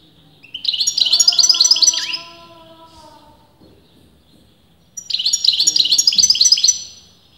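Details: European goldfinch of uncertain sex, argued over by leading breeders, singing two quick high tinkling phrases about four seconds apart. The first phrase is backed by lower drawn-out falling tones that fade after it ends.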